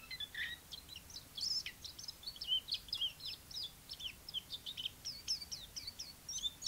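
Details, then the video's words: Chinese white-eye in song, a busy stream of sharp high chips and short twittered notes delivered rapidly throughout, with only quiet background hiss. "white eye singing"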